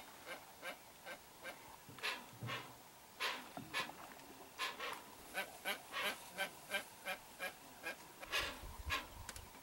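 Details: Hoatzin, parents with a chick at a riverside wetland, recorded from a boat, giving harsh, wheezy hissing calls, short rasping bursts that quicken to two or three a second, with a faint low rumble near the end.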